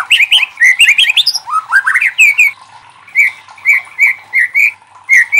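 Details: A White-rumped shama delivers a loud, varied song meant to challenge other shamas into singing, with quick slurred whistles and harsh notes at first, then evenly spaced clear whistled phrases after a brief pause.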